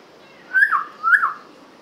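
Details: A pet cockatiel called Princess, in a home, gives two clear whistled chirps about half a second apart, each rising then dropping, over a quiet room.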